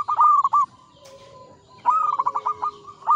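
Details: Zebra dove, a local bird in full song, performing the Mataram ngepat rhythm: a short trill of quick coos, a gap with faint level whistles, then a longer stuttering phrase of separated notes.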